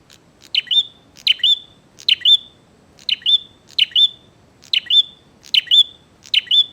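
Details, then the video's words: Bar-winged prinia singing vigorously in a song meant to challenge rivals to fight: sharp two-part chirping phrases, a high buzzy note then a quick whistled flick, repeated about every three-quarters of a second over faint low background hum. "SUARA BURUNG PRENJAK GACOR NGAJAK TARUNG"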